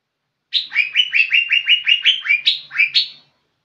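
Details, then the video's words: Lively song from a young green leafbird: a rapid series of whistled notes, mostly level slurs, broken near the end by a few higher, sharper notes, then quiet. "Cucak ijo muda super gacor"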